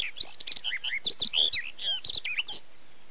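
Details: Barred warbler, Erdőhorváti, Tokaj, Hungary, early to mid May 2013, Canon EOS 7D; a rapid scratchy warble of mixed chirps and slurred notes that runs continuously, then stops abruptly near the end.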